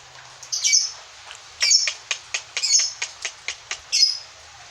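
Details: Lovebird, singing ngekek: short harsh squawky chirps in loose clusters, four louder rasping notes separated by bursts of quicker sharp ticks.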